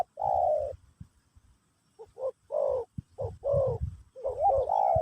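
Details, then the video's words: A spotted dove sings Pesom or Kacuk style song to teach a new bird. A long, drawn-out coo opens, then after a pause come clipped notes and a rising, wavering phrase, ending in another sustained coo. "Burung Terkukur Pesom/Kacuk...Sesi Mengajar Burung Baru"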